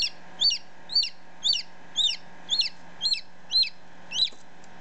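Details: Baby chicken only ten minutes out of the egg, recorded close by: bright piercing peeps repeated regularly almost twice a second, each a quick arched note, steady faint hum behind.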